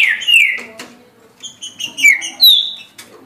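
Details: Caged green-winged saltator song, loud slurred whistles sliding downward from high to lower pitch, in two short phrases separated by a gap, with faint background noise.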